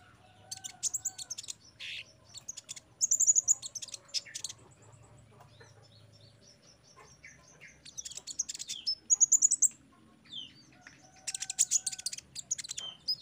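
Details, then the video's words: Sunbird song offered as training audio for caged birds, meant to get them singing readily: scattered high chips and thin trills, then dense bursts of rapid high twittering repeated at intervals, over a faint low hum. "TERAPI KONIN BAHAN OMBYOKAN JADI CEPAT GACOR DENGAR KOLIBRI BONGKAR MATERI PASTI NYAUT SEMUA"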